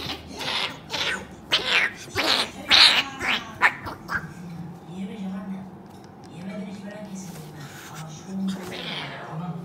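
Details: Indoor cockatoo kept as a pet, fighting a human on a sofa; a quick run of rough, broadband squawks in the first four seconds, then quieter, with a person's voice and a final hoarse squawk.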